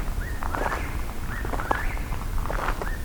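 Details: A distant Eastern Whip-poor-will at night, possibly one of several, repeats its whistled, rising phrase about once a second, half-buried under close footsteps and rustling on an uphill nocturnal hike.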